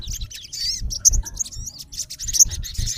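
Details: A male olive-backed sunbird (sogon) challenging a rival: sharp, very high, clipped chirps and squeaks in quick succession, with low muffled knocks beneath.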